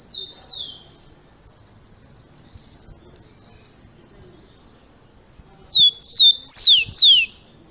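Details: Captive rufous-collared sparrow giving its "Jesus Meu Deus" song, used for training and warming up birds: a soft descending whistle opens, then after a long quiet gap comes a loud phrase of four pure whistles, each slurring downward.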